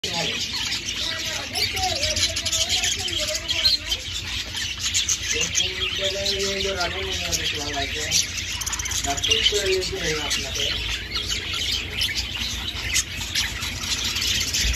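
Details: Budgerigars feeding themselves chatter in a constant stream of high, scratchy chirps and twitters.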